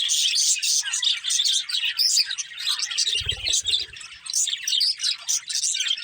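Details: Budgerigar chirping: a lively stream of high twitters and warbles rising and falling in loudness, with one brief low thump midway.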